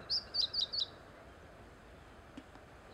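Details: Meadow bunting song heard along the Teganuma promenade, a quick run of four bright, high chirped notes packed into under a second, followed by quiet outdoor hiss.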